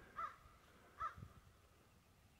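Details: A crow, a rare transient visitor here, calls from high in a cottonwood at dusk: two harsh caws about a second apart, with faint low rumbling in the background.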